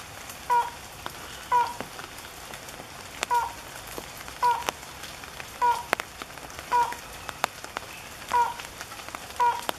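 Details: Slaty-legged Crake at Goncoi, Aldona, Goa, India, 10 July 2014: short, nasal mid-pitched notes, one every second or so at an uneven pace, over the steady patter of falling rain.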